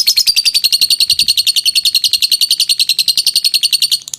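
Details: Steady ngekek trill of a lovebird, used as a training recording: a high, rapid, evenly spaced chattering trill lasting about four seconds before it cuts off abruptly.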